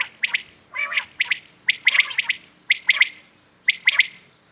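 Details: Morning calls of common quails: sharp, high three-note phrases repeated roughly every second, interleaved with harsher, buzzy rasping bursts, all fairly loud and clear over a quiet rural background.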